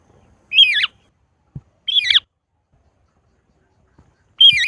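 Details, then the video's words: Parakeet calling three times with loud, harsh, raspy screeches, each about a quarter second long, separated by near silence, with a faint knock between calls. "Parrot Sounds , voice টিয়াপাখির ডাক"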